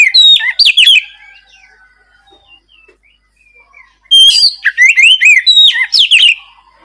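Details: Oriental magpie-robin in loud ngeplong-style song, used as a lure to prompt silent, lazy birds to answer and sing: two bursts of bright, varied whistled phrases with sharp chips, at the start and again from four seconds, separated by near silence.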